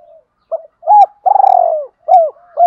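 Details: Decoy spotted dove giving its luring coo to stimulate wild birds: a soft lead-in, a short rising note, a long pulsing mid-pitched coo, then two falling arched notes, with no other sounds.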